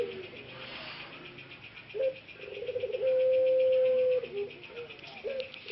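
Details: Caged male ringneck dove of the puter pelung type in Indonesia, regaining a slightly hoarse voice: brief low notes build into a level sustained coo of about a second, then a short note, with steady pulsing background hum.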